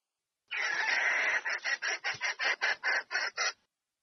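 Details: Red junglefowl hen summoning the male to mate, opening with one long hoarse rasp that breaks into about ten quick, evenly spaced scratchy pulses.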